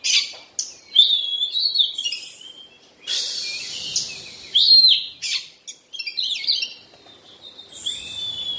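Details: Molting Oriental magpie-robin gives bursts of bright, scratchy chirps and short upslurred whistles, with brief pauses between phrases.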